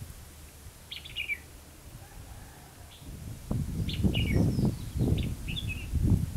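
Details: Red-whiskered bulbul recorded during trapping at Hòa Mạc, Hà Nam. A bright falling phrase is followed by several more warbled bursts, partly covered by loud low rumbling noise in the second half.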